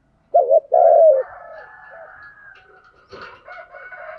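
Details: Decoy spotted dove cooing to lure wild doves: two short low coos, then a longer smooth coo that slides gently down, followed by thin, higher chirps from other birds and a brief clatter.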